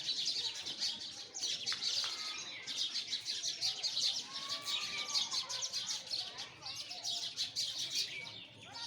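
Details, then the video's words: A flock of sparrows keeps up a nonstop twittering chorus of high, rapid chirps, with occasional louder single notes and a few longer whistled tones below. "Listen the voice of sparrow"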